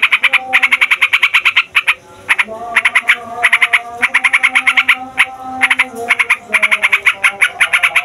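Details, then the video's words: Yellow-vented bulbul, a noisy fighter bird, singing a long rolling song used to provoke other songbirds and lure wild bulbuls: rapid harsh chattering notes in dense bursts, briefly pausing near two seconds, with faint low gliding tones beneath. "TRUCUKAN FIGHTER NGEROLL PANJANG BIKIN SEMUA JENIS BURUNG OCEHAN EMOSI"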